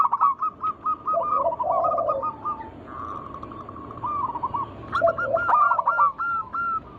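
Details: Local zebra doves in song for luring other doves: fast strings of short clipped coos, a sustained run of tight repeated notes, and rolling lower warbles interleaved between overlapping singers.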